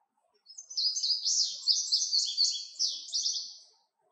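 An Indigo Bunting sings a bright, high song of about three seconds, a quick series of sweet notes, many of them paired. The background is quiet.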